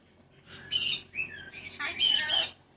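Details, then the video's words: Pet cockatoo chatting with its owner indoors: harsh, noisy squawks broken by a brief clear whistled note, in about three bursts over two seconds. "Chatting with Hero the cockatoo"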